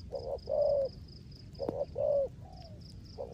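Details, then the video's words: Spotted dove, a decoy bird, giving the rước gù coo in the rain: low hollow coo phrases, a short note followed by a longer humming note that falls slightly, over steady high-pitched insect-like chirping. "Cu Gáy || sở hữu mồi RƯỚC GÙ trong mưa"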